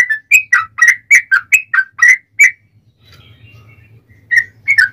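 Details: Yellow-vented bulbul in fighting song with long rapid phrases, used as a lure to make other bulbuls answer: a quick run of about ten bubbly, liquid whistled notes, a pause with a low hum, then two more notes.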